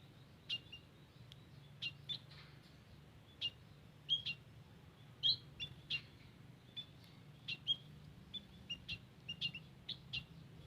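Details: White-headed munias calling in a garden, recorded for use as a lure: thin, high peeping chirps scattered through the whole stretch, often in quick pairs, against a low steady background hum.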